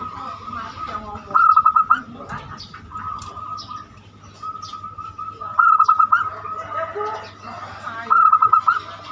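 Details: Zebra dove with banyumili song, meant to lure other birds into singing: three separated bursts of rapid, rhythmic cooing notes, quieter stretches and a steady hum between them.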